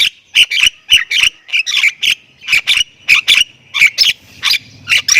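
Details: Javan myna of the Thailand type, singing vigorously in a full 'isian' style: harsh, buzzy chattering notes repeated in quick bursts about every third of a second, with occasional short whistles, over a quiet background.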